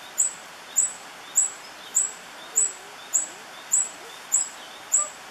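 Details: Tawny-bellied hermit at La Romera reserve, Sabaneta, Antioquia, Colombia, 2013, gives a very high, thin, squeaky note about every 0.6 seconds, nine times, over soft hiss with faint distant bird sounds.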